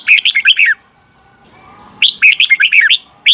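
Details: Caged-bird training song of the red-whiskered bulbul, Thailand, for learning the doubled 'beun' phrasing: two lively warbled phrases of seven or so quick up-and-down notes, separated by a short pause, a third just beginning.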